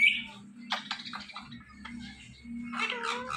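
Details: Ringneck parrot talking: a run of short, raspy, speech-like bursts, then a thin steady whistle, ending in a louder harsh chattering phrase, over a low constant background hum.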